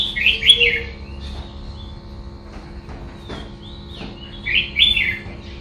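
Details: Red-whiskered bulbul; two short bursts of warbled, slurred phrases, each under a second, about four seconds apart, with faint whistles and a steady low hum in between.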